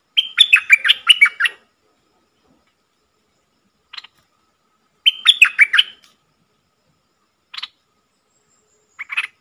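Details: Caged decoy bulbul, sung to goad wild birds into fighting, delivers two rich phrases of cascading, slurred whistles about five seconds apart. Brief single notes sound in between and again at the end.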